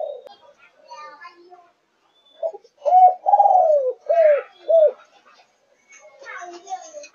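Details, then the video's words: Spotted dove, Malaysian line, 5.5 months old, in thúc gù cooing style. After faint background murmuring, a clear run follows: a clipped note, a long wavering coo, then two short arched coos about half a second apart. "Cu Gáy Malaysia Dòng Thúc Gù 5,5 Tháng Tuổi"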